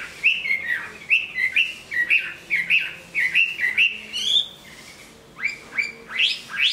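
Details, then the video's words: Big Chinese hwamei, strong singer and fighter, moulting into fresh feathers, delivers a run of short rising-falling whistled notes at a quick steady pace, a brief pause, then louder upward-sweeping phrases. "Họa mi bộ to hót tốt đấu tốt"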